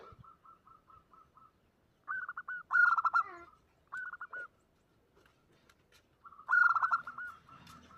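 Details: Omyokan lure of a female zebra dove calling a male: a row of soft, evenly spaced coo notes, then trilled stuttering phrases and two louder rasping bursts about four seconds apart, against near-silent background.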